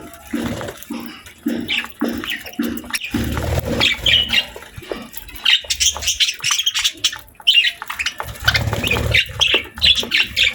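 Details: Budgies as pets eating healthy food on a daily routine, giving a run of bright high chirps and squeaky twitters, irregularly spaced, with rhythmic pecking and clicking sounds below.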